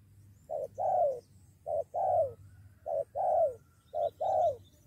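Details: Spotted dove responding to a lure, poised to fight: four evenly spaced pairs of coos, each a short note then a longer falling note, over a low steady hum.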